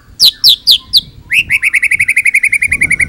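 Loud White-rumped shama song: four high, falling whistled notes, then a fast run of about fifteen short, bright chips at roughly eight per second.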